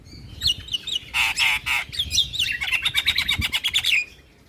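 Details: Javan myna lure song full of fill-in phrases, meant to make other mynas answer: whistled slurs, harsh broad bursts, then a rapid trill of repeated notes that stops abruptly.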